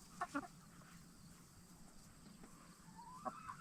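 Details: Hens, Black Star and Bielefelder, settling into their chicken tractor coop at night: two quick harmonic clucks at the start, a pause, then another burst of clucks and a rising note at the end.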